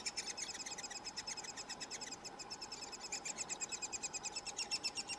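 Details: At a nest in Oslo in June 2018, three-toed woodpeckers give a nonstop stream of high, thin, ticking chirps, roughly ten a second, over a faint steady hum; Eurasian three-toed woodpecker.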